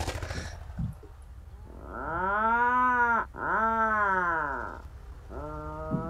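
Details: Atlantic Puffin at a seabird colony in Iceland, singing at its burrow after arriving in flight: deep, drawn-out purring, groaning moans, two long rising-then-falling calls back to back and then a shorter one, over a low rumbling background.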